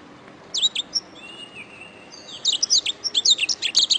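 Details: Canary song for tutoring songbirds: a few sharp chirps, then faint drawn-out thin whistles, followed by a fast, dense series of high, crisp notes.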